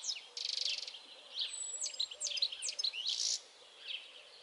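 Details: European goldfinch song: a buzzy, rasping trill opens, followed by quick liquid twitters and sharp rising and falling chirps in a fast jumbled sequence, then fading to a few scattered notes.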